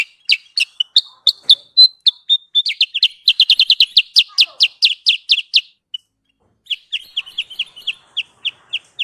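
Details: Sooty-headed bulbul lure call used for trapping birds: long run of sharp, high, downslurred chirps, quickening into a dense rattle-like burst, a short pause, then a steadier series of evenly spaced chips.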